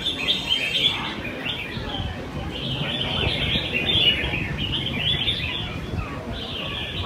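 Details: Red-whiskered bulbuls singing in cages at a weekly Sunday-morning competition in Quy Nhơn, 21 June 2020. Rapid, chirpy, whistled phrases repeat densely from several birds at once over a background of crowd noise.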